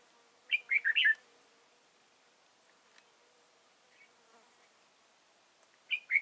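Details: Red-whiskered bulbul used as a decoy bird for trapping in Vietnam, 31 March 2018: a quick burst of four or five bright warbled notes, then a long pause and another short phrase.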